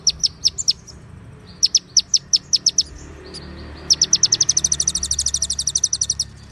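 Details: White-rumped shama song in konin style, packed with cililin and ciblek fill-ins and clear pauses: short groups of three or four piercing chips, then a long, accelerating rattle of high, ringing notes.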